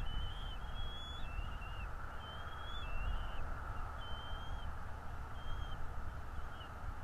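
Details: At a northeast Florida nest watched by a camera, morning of 11 February 2022, a bald eagle gives a run of high thin whistles, short level notes with abrupt downturns, about one per second, over steady low-pitched noise.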